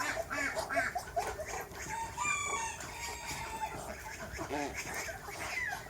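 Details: Backyard roosters and chickens of several breeds on a farm with over 100 animals; overlapping clucks and squawks with a strained drawn-out crowing tone in the middle, against busy farmyard background noise.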